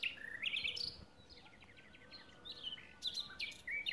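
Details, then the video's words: Common nightingale singing on a spring day, 12 April 2016: loud rich phrases of rising whistles and fast rattling trills, with sharp high notes and pauses between bursts. "Ptica - slavuj / Bird - nightingale"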